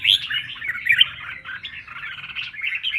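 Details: Red-whiskered bulbul fired-up contest song. A loud whistled opening flows into a short, steady run of liquid warbling notes, continuing without pause.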